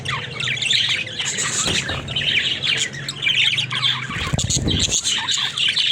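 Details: Pet budgerigars, said to be talking, keep up a dense, continuous warble of scratchy chirps and squeaks, several birds overlapping, over a steady low hum.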